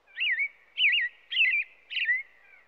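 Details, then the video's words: Four looping caroled phrases from an American robin, evenly spaced roughly every 0.6 seconds, each a clear rising-and-falling whistle with no other sounds. "American Robin sounds | American Robin singing | Robin calls | Robin sounds"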